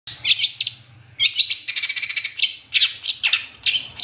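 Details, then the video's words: Long-tailed shrike song used as a master recording to train captive birds: rich mimicking medley of scratchy, buzzy chatter and sharp high notes in bursts, separated by brief pauses near one and two and a half seconds. "Masteran Cendet Full Isian Nembak Mewah Terbaik 2023"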